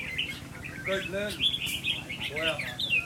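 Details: Kept red-whiskered bulbul, whose temperament is being tested, gives quick, bright chirping and warbled phrases almost nonstop, with brief human speech in the background.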